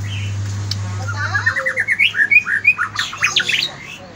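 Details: White-rumped shama song in the morning: a fast run of rich whistled notes, about three per second, climbing and varied, with a steady low hum at the start.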